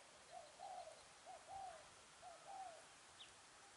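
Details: Spotted dove used as a decoy bird for trapping, recorded 10 December 2020. Soft, low cooing phrases of short hooting notes, some slightly rising or falling, in uneven groups over steady background hiss.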